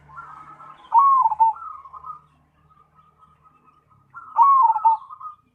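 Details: Zebra dove (cemani perkutut) in full song: a rolling soft intro, a loud descending coo phrase, faint trailing coos, and the phrase repeated about three seconds later; a faint low hum underneath.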